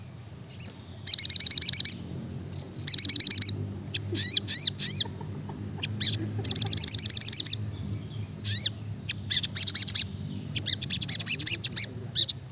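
Brown-throated sunbird singing rapid bursts of high, thin, sharp chips and trills, packed closely together in quick repeated phrases.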